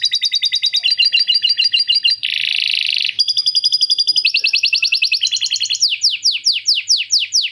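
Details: Canary in long, clear song with lovebird ngekek fill-in: fast repeated trill tours changing every second or so, a dense buzzy roll mid-way, then a run of sharp descending whistled sweeps.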